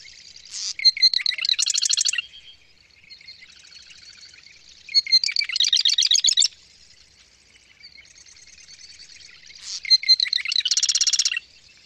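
A Marsh Wren sings three rapid, rattling, buzzy trills, each opening with a few sharp notes, repeated about every five seconds over quiet background.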